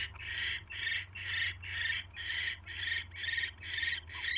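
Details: Owl at its nest, evening of 29 January 2016, mice being delivered; a steady series of about nine raspy, hissing screeches roughly twice a second over a low hum.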